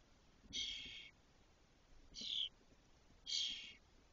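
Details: Spotless starling nestlings, six fully feathered chicks about 22 days after hatching, in a nest in a cork oak in Doñana National Park, Spain, in May 2023. Three harsh, hissing rasps of about half a second each, roughly one per second.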